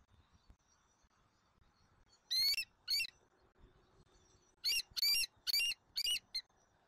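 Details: Southwest Florida bald eagle nest, eaglet E23 fed at dinner on 13 January 2024 with parents F23 and M15: loud, piercing, slightly rising chitters, two together, a pause, then a burst of four close notes.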